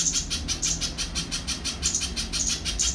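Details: Little spiderhunter singing: sharp, high chipping notes repeated about three times a second in a steady, monotonous run, with a low rumbling hum underneath.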